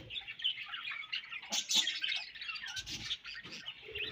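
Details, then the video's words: Budgerigars during breeding season, a flock chattering continuously with warbled, scratchy chirps and short squawks overlapping throughout. "Budgies Breeding Season and Sweet Chirping Sounds"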